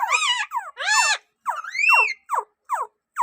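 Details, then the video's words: Rose-ringed parakeet talking sweetly: a few drawn-out, wavering, word-like phrases followed by short downward squeaky notes spaced under a second apart. "Parrot ringneck sound parrot talking in sweet voice"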